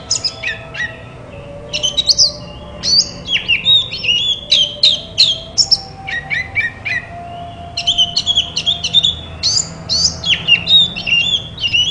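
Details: Oriental magpie-robin song intended to make silent magpie-robins reply and sing: an extended series of rich whistles, quick chirps and slurred notes in energetic bursts, with a faint low hum in the background.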